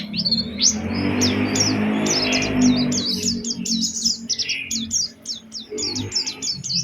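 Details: Oriental white-eye in full lure song with special phrasing, to prompt other white-eyes to sing: long, rapid series of high chirps and whistled downslurs, about three a second, over a steady low hiss that fades midway.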